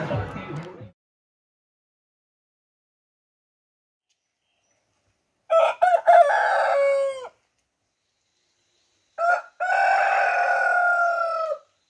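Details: Chicken: a rooster gives two long crows, each harmonic and drawn out, holding steady before dropping away. Recorded around 5:30 a.m. before sunrise on Mousuni Island, India, along a riverside embankment.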